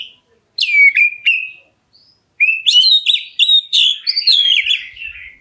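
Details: Black-breasted oriental magpie-robin calling to provoke other birds to answer: two downslurred whistles and a held note, a pause, then a long, fast, varied run of bright warbled whistles sliding lower at the end.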